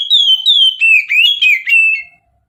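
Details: Oriental magpie-robin in the mountain style, used as a lure: about two seconds of loud, clear whistled phrases, sliding and slurred, dipping then rising, notes run together with rich overtones, ending abruptly, no other sounds.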